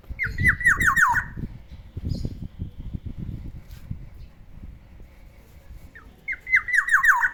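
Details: Caged black-naped oriole in the morning giving quick bursts of about six harsh, downslurred notes in a row, repeated twice, with low rumbling background noise between bursts.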